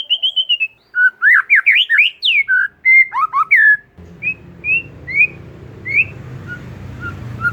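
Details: Kacer, the oriental magpie-robin, in lure song for silent birds: rapid swooping whistles and short slurred notes, then spaced single whistles over a low background rumble in the second half.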